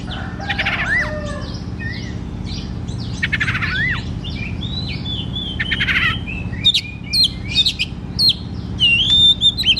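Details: Kacer (oriental magpie-robin) singing in lively gacor fashion, used to stir lazy kacer: dense varied whistles, falling slurs and fast rattles, then sharp clipped notes in the second half, with a low hum throughout.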